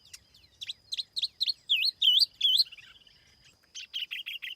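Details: Tiểu mi laughingthrush used as a lure bird, singing with no background noise: a few quick chirps lead into loud, looping whistled warbles, a pause, then a fresh burst of clipped notes.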